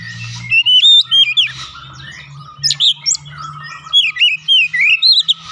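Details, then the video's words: Oriental magpie-robin lure song, a lively series of slurred whistles, harsh squawky notes and high chips, repeated roughly four times per second, over a faint low mechanical hum. "pancingan Kacer langsung buka paruh GACOR"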